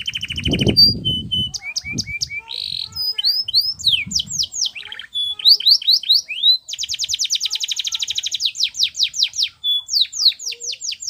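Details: Varied canary song used as a cure for birds that will not sing: mixed whistles and short buzzes, then swift rolling trills of repeated notes, with a low thump early on.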